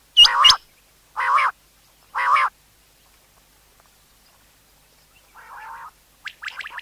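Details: Common quail calling for the hunt: a sharp hooked high note doubled over a buzzy burst, then two more evenly spaced rasping bursts, a pause, and fainter notes.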